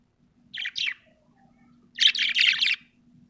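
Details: Happy budgie chirping: two short scratchy chirps, then a longer run of fast, buzzy warbling chirps about a second long, over a faint low hum.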